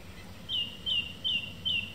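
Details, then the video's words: Song thrush singing in the evening: one clear, high whistled note with a sharp upward flick, given four times in a row at about 0.4-second intervals over a soft low background hum. "Song Thrush singing in the evening"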